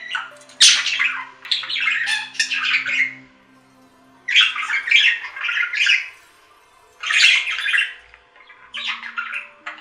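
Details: Pet budgies in three or four separate bursts of scratchy chatter and sharp squeaks, each burst a second or two long, with quiet gaps between and a faint hum.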